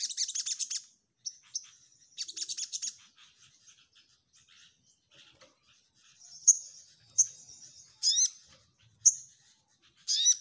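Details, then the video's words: Orange-headed thrush (sogok ontong) song for training other birds: opening bursts of high buzzy chatter, then softer scattered notes, ending in sharp rising whistles and a final rattle. "SogokOntong Gacor Nyecrett N3mbak"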